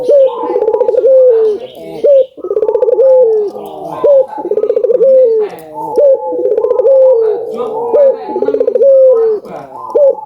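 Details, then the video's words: Albino collared dove singing vigorously, used to prompt other doves to call: rolling, pulsed coos with a rising-then-falling contour, repeated roughly every two seconds, overlapping coos suggesting more than one bird, indoors. "Suara Burung Puter Gacor ,merangsang burung puter agar bunyi | burung puter albino gacor"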